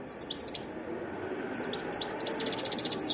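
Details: Varied song of a wild European goldfinch: bright, high twittering notes in two bursts separated by a short pause, the second phrase busier and ending in a quick rising flourish, with soft background hiss.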